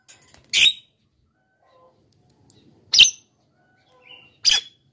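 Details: Javan myna lure sound: three scratchy squawks about two seconds apart, with a faint short whistle between the last two and light clicks.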